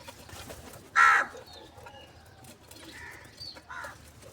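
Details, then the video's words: Morning crow calling for food, while it feeds on cheese and salty scraps: one loud, rasping caw, followed a couple of seconds later by two fainter, shorter calls against low background noise. "Crow Call For Foods , Crow Morning Foods"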